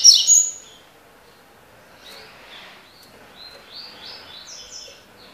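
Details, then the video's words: Tui tui (tocó) style song of a Double-collared seedeater: a sharp, loud high whistle at the start, then a quieter run of short slurred notes that rise and fall. "COLEIRO TUI TUI (TOCÓ)"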